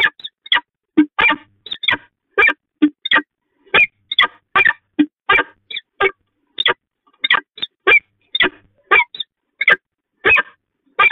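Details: Pair bonding of peregrine falcons at the Catharinakerk, 19 October 2020: a long, fast, uneven series of loud rasping calls, some single, some doubled, several per second.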